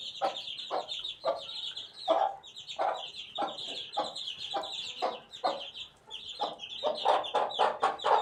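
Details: Young chicken chick, eighteen days old: shrill chirping peeps run almost without pause, with irregular rapid knocking pulses, about two per second and bunching toward the end.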